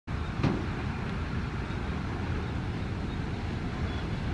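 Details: Low, continuous rumble of an engine or traffic with one brief knock near the start, and no animal sound.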